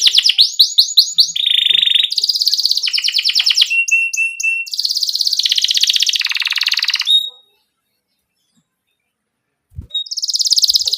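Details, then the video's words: Domestic canary singing a vigorous rolling 'ngerol jeda' song with pauses, used to coax young canaries into singing. Fast buzzy trills and chattering runs shift pitch for about seven seconds, then a two-second silence, then the trilling resumes. "Criit CUIT Cuit Kenari GACOR Ngerol Jeda Buat PANCINGAN Kenari PAUD Supaya Cepat BUNYI GACOR"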